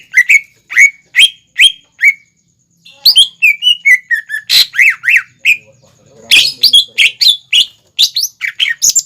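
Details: Greater green leafbird song for young birds to imitate: spaced loud whistles at first, then a busy medley of chirps, swoops and sharp buzzy notes.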